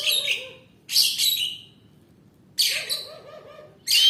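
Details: Oriental magpie-robin singing in full voice: three rich, harsh phrases about a second and a half apart, each with layered scratchy tones over a lower wavering note that slowly fades.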